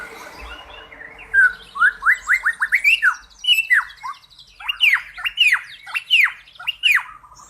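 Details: Cucak pantai, whose song is claimed to equal the cucak rowo, delivering an energetic string of rising and falling squeaky chirps, some slurred downward, steadily repeated over several seconds.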